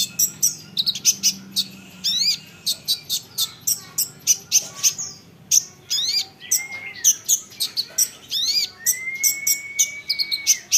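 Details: Olive-backed sunbird song for provoking other sunbirds to answer: steady series of high, sharp, ticking notes with occasional upslurred chirps, and two long, smooth, rising-then-level whistles in the second half.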